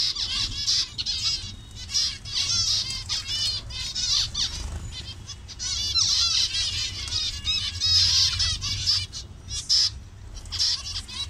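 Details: Many zebra finches of various colour variations in a colony in Bangladesh. A busy chorus of short, nasal, buzzy calls repeated rapidly and overlapping throughout, with faint wing flutters beneath.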